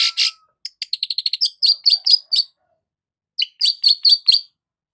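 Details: Long-tailed shrike sunbathing in the morning, with a fast stuttering series of high clicking chirps building into louder metallic notes, a pause, then another similar run.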